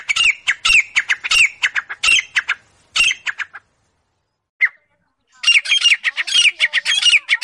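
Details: Grey francolin, known locally as teetar, calling: loud harsh repeated notes in rapid bursts, a brief pause with one isolated note, then another fast run of grating calls.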